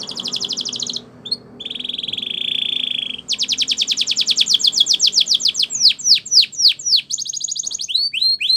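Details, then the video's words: A Spanish Timbrado training canary sings a bright, high song: a buzzy sustained trill, then fast repeated metallic notes speeding up into swooping chirps, over faint low background hum. "Canary Training Champion Song"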